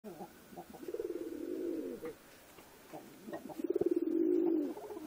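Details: Pigeon cooing in two long, warbling, low-pitched bursts, each swelling and fading over about a second, with a pause between.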